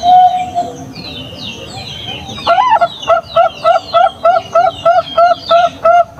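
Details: Bangkok-type champion zebra dove, used as a lure to make other doves answer and sing. One drawn-out cooing note is followed by a quick run of about eleven short, evenly spaced cooing notes, with thin chirping of small birds behind.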